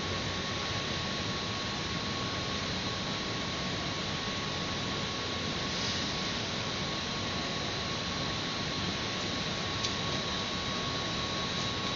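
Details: Only a steady broadband hiss with a constant electrical hum is heard from a rooftop nest-ledge webcam at dawn, with no animal calls.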